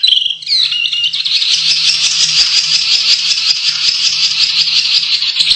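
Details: Canary song used to train contest birds: after a brief whistle, a long continuous buzzy rolling trill runs unbroken to the end.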